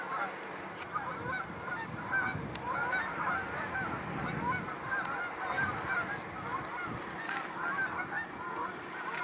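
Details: Flock of Canada geese calling together, a dense stream of overlapping nasal honks throughout, with low rumbling background noise and a few sharp clicks.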